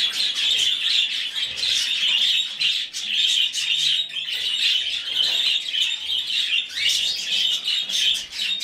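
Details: A rescued budgerigar chick keeps begging while hand-fed, a nearly unbroken, shrill, buzzing chirr of high notes with slight dips in loudness.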